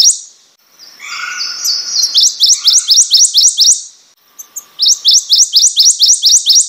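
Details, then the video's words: Small songbird, the prothonotary warbler, with faint lower chattering notes first, then a strong steady string of about ten bright rising notes, a brief pause, and another identical ringing series. "Prothonotary Warbler Song."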